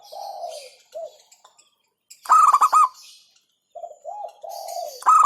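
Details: Local zebra dove delivering a quick staccato cooing phrase, while another dove's lower, drawn-out arched coos sound before and after it.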